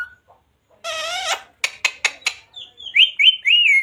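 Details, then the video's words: Green ring-necked parrot kept as a pet, one drawn-out harmonic word, then a quick burst of clicky syllables and several high whistled chirps trailing off. "Parrot Talking Radhe Radhe || राधे-राधे बोलने वाला मिट्ठू || Parrot Talking Sita ram"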